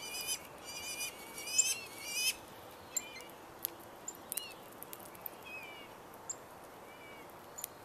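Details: Rose-breasted grosbeaks, up to eleven males at once, competing around feeders and on the ground; a strong two-second run of rich warbled phrases, then scattered soft whistles and sharp ticks.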